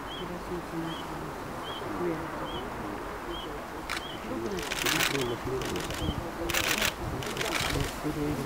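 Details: Red-breasted flycatcher at Sankamata Pond biotope, Japan, giving a short, thin, high note about every second, with people talking quietly and bursts of camera shutter clicks.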